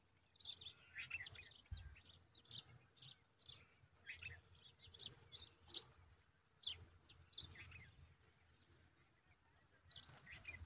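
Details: Bulbul chick being fed an oversized grasshopper, giving high, thin chirps in irregular bursts, roughly eighty per minute, over a steady low rumble of background noise.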